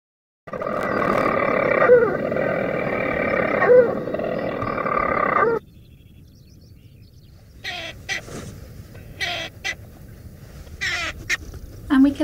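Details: A European storm petrel nesting inside a wall on Mousa answers a played-back call at night with a long, rasping churring purr broken by a hiccup-like note about every two seconds, then quiet clicks and rustles.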